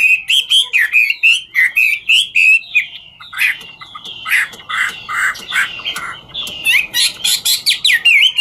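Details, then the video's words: Chinese hwamei singing 'ngũ trường' style song while dancing: loud run of rich whistled notes sliding and looping, then a denser stretch of harsh broadband chattering notes mixed with whistles, phrases repeated rapidly without pause. "Họa mi ngũ trường hót múa cực chất"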